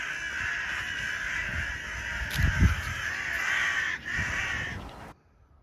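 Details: Crows shown black feathers keep up a dense, raucous cawing chorus with some low thuds, until the sound cuts off abruptly near the end.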